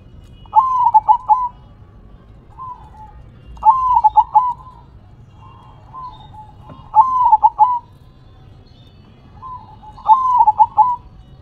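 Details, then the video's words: Zebra dove performing manggung song with head shaking, delivering a short rolling, stuttered coo phrase roughly every three seconds, with softer coos from other doves between the phrases. "Perkutut BERDZIKIR, Manggung nya Geleng -geleng Kepala"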